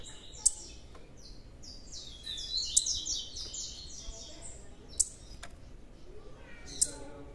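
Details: Blue-black grassquit youngster with a busy cluster of high chirps and buzzy notes, punctuated by four sharp clicks spread across the clip.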